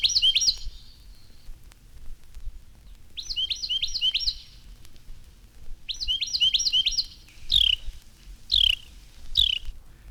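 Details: Carolina Wren in a spring garden belts out loud, ringing rolling phrases, 'cheer, cheer, cheer', of quick repeated notes in three bursts, then three separate downslurred whistles; faint low background hum.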